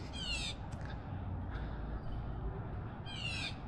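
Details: Blue Jay, one of many in a creek area with a limestone bed after rain, giving two harsh, raspy screams about three seconds apart, over low wind rumble and handling noise; territorial near the nest.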